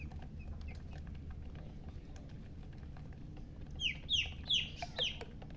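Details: Baby chicken chicks chirping: quiet low background hum, then a quick run of about five high, sharp, downward-sliding peeps near the end.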